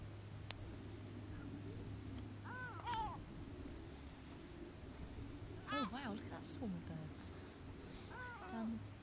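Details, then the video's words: Gulls on Brean sands, Somerset, England, in spring 2013; a few loud arched yelping calls spaced a few seconds apart above a steady low rumble of wind and surf, with people talking quietly. "Seagulls Sea and Sand"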